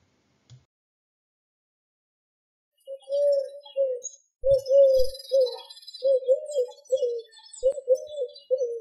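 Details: Eurasian collared dove in Central Europe: a low, hollow three-note coo repeated phrase after phrase about every second, with faint high twittering of other birds behind.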